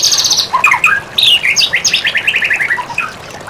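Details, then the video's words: White-rumped shama song used to train songbirds: a high buzzy trill opens, then a mix of short whistled notes gives way to a quick, evenly paced run of descending chips. "Masteran mematikan murai batu"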